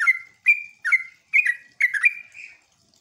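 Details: Short lure phrase from a sooty-headed bulbul, intended to make other bulbuls respond, in nembak style: five crisp whistled notes, each sliding down, the last drawn out into a longer level tone.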